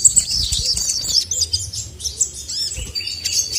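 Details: High, rapid twittering from a male crested jay, a bird kept to stir up rivals. Looping chirps and short whistles run on with no break over faint low rumble.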